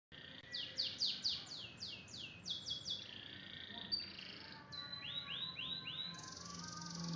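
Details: Canary song in the full 'tembakan' style: rapid high rising-and-falling whistled sweeps in quick series, then sustained buzzy trills and a later run of lower swooping notes, over faint background hiss.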